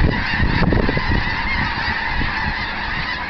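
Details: Mass of snow geese rising from a feeding area near Eagle Lake, Texas, 7 February 2011. Continuous, chattering honks from countless birds, loudest early on, with a deep background rumble.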